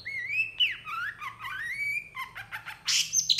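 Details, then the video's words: Long-tailed shrike giving a mimicry-rich tutor song, said to respond quickly and agitatedly to other shrikes; softer wavering, gliding whistles climbing and falling, then a burst of harsh high notes. "PENTET GACOR EMOSI CEPAT DI RESPON CENDET LAIN, MASTERAN CENDET FULL ISIAN"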